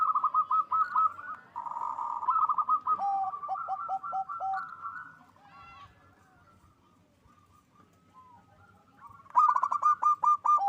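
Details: Local zebra dove singing loudly to raise mating drive; long run of rapid cooing notes with a lower stepped section, tapering into faint scattered notes, then a loud fast burst of short coos at the end.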